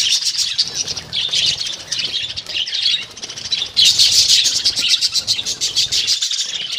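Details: A group of budgerigars housed as a colony instead of in cages, constant loud twittering and chattering from many birds, swelling louder toward the end, with low background rumble.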